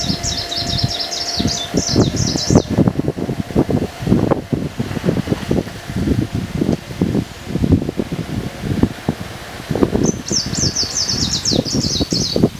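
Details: Greenish warbler recorded at Wągrowiec, Poland, on 12 June 2014, giving two rapid, high, jumbled phrases about two and a half seconds long, eight seconds apart, over loud rustling and a wind-like rumble.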